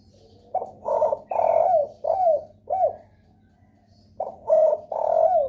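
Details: Spotted dove lure call, used to draw other doves into calling: low, hoarse cooing in a phrase of five notes with a long drawn middle note and a falling end, a pause, then a new phrase begins.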